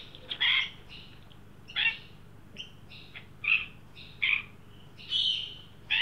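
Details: A juvenile Australian magpie, led by an adult to a new birdbath in Sydney during a 43 °C heat wave on 9 December 2023, gives short, harsh, nasal, high squawks about once a second over faint hum.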